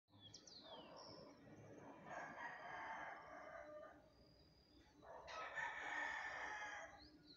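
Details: A rooster gives two long, harsh morning crows about three seconds apart, each rising then trailing off, with thin chirps from small birds at the start.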